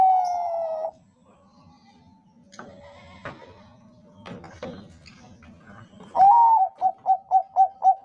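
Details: Bangkok zebra dove song used to coax other doves into singing: one drawn-out coo, several seconds of clattering and faint background noise, then a rising coo followed by a quick run of short staccato notes.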